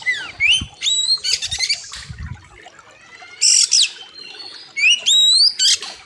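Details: Oriental magpie-robin (kacer) in a master recording for training birds, delivering loud varied song: clear rising whistles with harmonics, swooping upslurs and dense buzzy rattling bursts, separated by brief pauses; faint low rumbles beneath.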